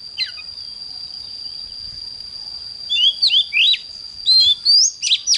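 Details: Oriental magpie-robin morning song in 'căng lửa' style: a single falling note, three seconds of near silence, then lively bursts of whistled upslurs and slurred sweeps, over a constant high background whine.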